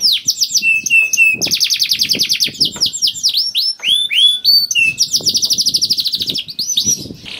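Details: Singing canary in 'gacor' form, used to prompt other canaries to call: dense fast trills, rising and falling whistles and a long rolling 'ngerek' stretch, nearly unbroken.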